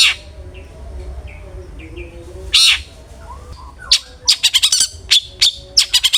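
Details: Cendet, the long-tailed shrike, singing "ngeplong" as a lure for other shrikes; soft chirps and one harsh burst, then a fast stuttering run of sharp rasping notes near the end.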